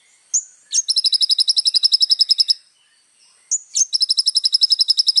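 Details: Little spiderhunter singing actively, used as tutor song for young birds: a couple of sharp high chips, then a long, even, rapid trill of about twenty pulses, the pattern repeating after a short pause.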